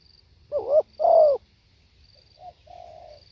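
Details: Single spotted dove phrase: a wavering coo and a fuller falling coo, followed by a quiet soft murmur and a drawn-out low hum.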